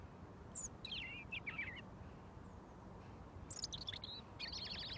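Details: A wild robin, fed daily for over a year, singing a foot from the person feeding it until mealworms come: two bursts of thin, high, tumbling warbled notes separated by a quiet pause, over low background rumble.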